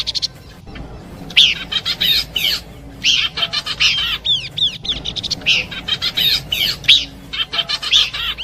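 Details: Horsfield's babbler combination song for attracting birds, a soft start, then repeated bursts of shrill chirps and curved whistles in phrases about a second long.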